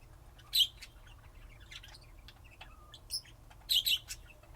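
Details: Lovebird calls: sharp, high chirps and squeaks, with a loud burst at the start and a close pair near the end, plus scattered softer ticks in between.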